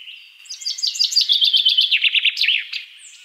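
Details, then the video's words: A Common Chaffinch sings its bright descending phrase: quick repeated chips that speed up, then drop into a rattling run with a final flourish. "Common Chaffinch (Fringilla coelebs)"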